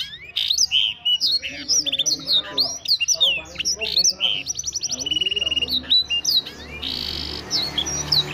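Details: Canary from Wiradesa, Pekalongan, delivering blackthroat-style song: a dense, varied stream of high whistles, downslurred notes, rapid rattling trills and buzzy phrases, sustained with few pauses against faint low background hum.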